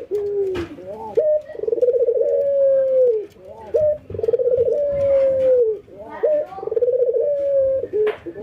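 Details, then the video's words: White albino and local ringneck doves in a routine calling session, nodding and laughing: low starting notes then bubbling trills stretching into long falling coos, three cycles in a row. "puter putih albino versus puter lokal ngangguk dan tertawa"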